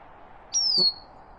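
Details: A Bicknell's Thrush on a Maine mountaintop in the morning gives a single thin, high call that slurs downward, under half a second, calling close by but unseen; a faint low murmur underneath.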